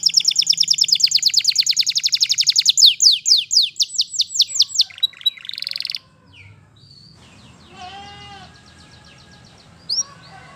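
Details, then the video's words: Canary singing in the wild: about six seconds of dense, fast high trills and repeated sweeping notes, after which the song stops. Faint scattered chirps and low background rumble follow. "Canary Singing In The Wild"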